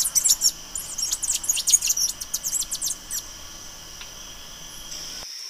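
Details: Bay-headed tanager singing a fast run of high, thin chips and short slurred notes for about three seconds. The notes then fade to a few scattered faint ticks over a quiet background.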